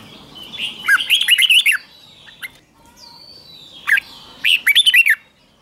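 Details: Morning song of a red-whiskered bulbul, trained to sing hard: two quick runs of bright, bouncing whistled notes separated by a short pause, with a thin gliding whistle between them.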